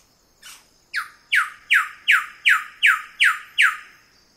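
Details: Wilson's bird-of-paradise calling close up: one faint opening note, then eight loud, harsh notes, each dropping sharply in pitch, evenly spaced about 0.4 seconds apart, over a quiet background.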